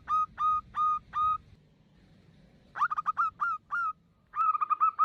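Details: A female zebra dove calls for a male, used as a lure. Four separate drawn-out coos are followed after a gap by a few quick notes, then a rapid warbling run of short coos.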